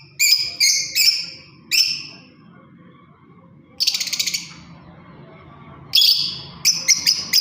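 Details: Lovebird, a parrot, giving bright high chirps in short bursts and clusters separated by pauses, some notes with a harsh buzzy edge, with faint low room hum underneath.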